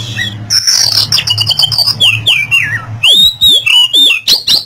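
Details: Oriental magpie-robin song, played to coax a silent bird into singing again: fast, varied phrases of high trills, rising and falling whistles and sharp chirps in quick bursts, over a steady low hum.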